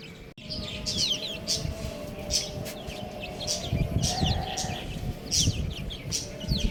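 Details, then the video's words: A group of young chicks chirping steadily. High, thin, falling peeps overlap in quick succession across the clip over a low rumbling background, with a brief click near the start. "Adorable Little Chick Sounds | Amazing Baby Chicken | Chirping Sounds"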